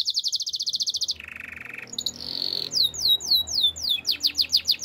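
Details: A Belgian canary sings in the morning, a very fast high trill dropping to a lower buzzy roll, then drawn-out notes and a series of sweeping downward whistles repeated in quick succession.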